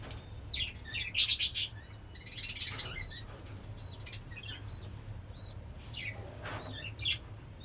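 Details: Budgerigars, many kept as a colony in a home aviary, chirping while being fed tulsi leaves right after a cockatiel: scattered, high, thin chirps and short twittering bursts, some overlapping, over a low room hum.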